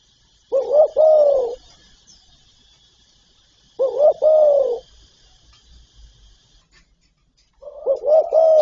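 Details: Spotted dove in a full set of calling, urging and cooing phrases, giving three separate coo phrases, each a quick double note then a longer, slightly falling mellow coo, spaced about three and a half seconds apart.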